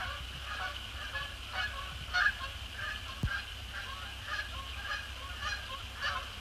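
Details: Canada Geese, a mix of resident and migratory birds, arriving over Sapsucker Woods Pond in the post-sunset sky on a December 2017 evening. Repeated nasal honks, roughly one a second, with a constant high-pitched hiss behind.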